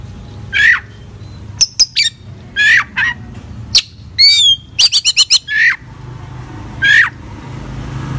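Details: White-rumped shama singing a varied phrase sequence: repeated harsh downslurred squawks alternating with sharp ticks, looping whistles and a quick run of clipped notes, against a low background hum.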